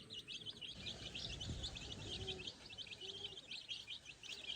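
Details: Tiny chicks foraging for food and insects without a mother hen fill the air with brisk, high, repeated peeps, a few softer low tones underneath.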